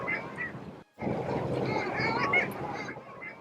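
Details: A flock of Long-tailed Ducks off Long Beach Island, New Jersey, in mid-March, diving and flying, keeps up a busy din of overlapping nasal, yodeling squawks, several each second, over a steady rushing murmur.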